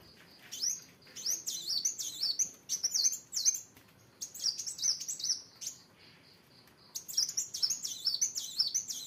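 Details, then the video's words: Kolibri wulung sunbird belting out gacor song, long streams of shrill, rapidly alternating squeaky notes sweeping up and down, with a brief lull of thin steady peeps midway before another intense run. "Kolibri Wulung Gacor"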